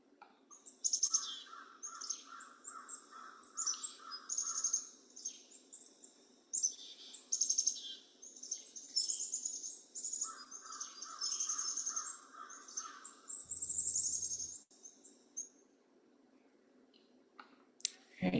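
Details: Black-capped Chickadee mobbing alarm call, given on detecting a predator to warn others and draw nearby small birds to swarm it: high, harsh buzzy bursts mixed with quick runs of repeated notes.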